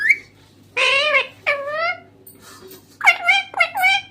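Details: A green parrot talking indoors, producing drawn-out speech-like syllables with wavering, rising and falling tones, followed by a run of short sharp chirped syllables, over a steady low hum.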